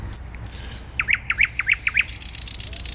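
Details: Thrush nightingale in song in Warsaw city centre, Poland, 12 May 2020: sharp high clicks, then a rapid run of repeated piping notes, ending in a dry buzzing rattle, against low urban traffic hum.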